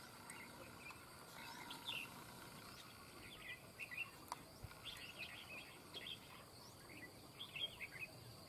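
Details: Red-whiskered bulbul during a bird-trapping session; short bright chirps and warbled phrases come in loose bursts across the clip, over a steady high insect-like hum and low rumbling background noise.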